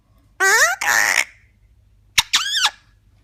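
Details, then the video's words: Talking Eclectus parrot giving a voiced, arching syllable and a rasping, breathy one, then a sharp click and another rising-falling, word-like note. "Eclectus Parrot talking"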